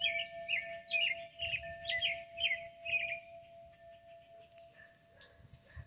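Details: Bird in a hackberry tree in rural Kentucky singing a series of short, clear warbled phrases about twice a second, with a steady wind-chime tone ringing throughout and soft low rumble beneath.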